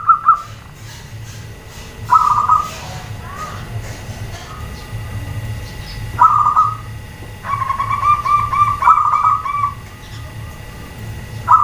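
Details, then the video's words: Female zebra dove calling so that males and group-kept birds reply: short bursts of quick staccato notes spread across the stretch, ending in a longer double run, over a low background hum. "SUARA PERKUTUT BETINA, BIKIN PEJANTAN DAN OMBYOKAN SALING SAUT"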